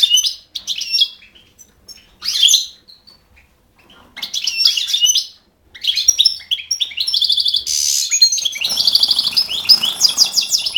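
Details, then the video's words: European goldfinch, recorded 5 June 2011, singing a lively tinkling twitter of rapid high notes in phrases, becoming denser near the end with buzzy, rattling trills and a run of quick repeated notes. "Stiglic,Grdelin, Stieglitz, Goldfinch, Cardellino, Chardonneret, El jilguero"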